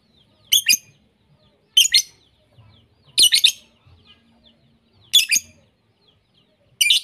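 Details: Mixed lovebird vocalisations played to lovebirds as a lure, so they learn varied song; harsh, high, squeaky double chirps come in separate bursts every one to two seconds against near silence.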